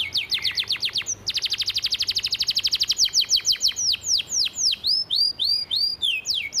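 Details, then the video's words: Captive canary singing a church-style fill song with rapid-fire bursts, kept as a master recording for training: dense machine-gun trills of sharp high notes, then slower repeated down-swooping whistles, over faint background hiss. "Kenari Isian Gereja"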